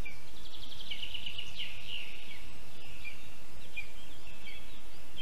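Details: A male Lesser spotted eagle calls as he brings a mole to his mate at a spruce nest in Zemgale, Latvia, at 8:22 a.m. on 22 June 2022. He gives a quick run of about six high, thin yelps, then drawn-out higher calls, over a low wind-like rumble.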